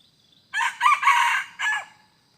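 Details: Red junglefowl heard in decoy hunting, 2 November 2021: a full rasping crow of three to four joined, harsh harmonic syllables lasting over a second, the last note briefly separated and dropping, over a steady faint high hiss.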